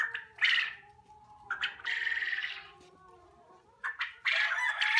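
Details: Several young quail calling in a poultry unit: ragged, noisy squawks, some brief and some drawn out, broken by quieter spells with a faint steady hum in the background.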